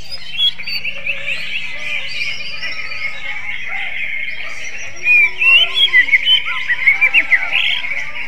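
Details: Greater green leafbird singing in a kacer-like, magpie-robin style: a dense steady chatter of high notes, then from about five seconds a run of sharp, separate whistled phrases rising and falling, with a faint low hum beneath.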